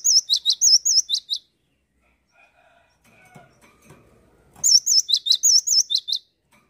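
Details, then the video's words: Cinereous tit singing vigorously: two high bursts of a phrase in which a wavy whistle is followed by sharp downslurred notes, repeated three to four times per burst, separated by a few seconds of faint rustling. "Gelatik batu gacor"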